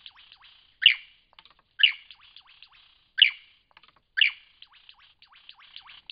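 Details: Lyrebird singing in Cape Liptrap Coastal Park: loud, sharp, ringing notes repeated about once a second, with soft twittering and clicking filling the gaps between them.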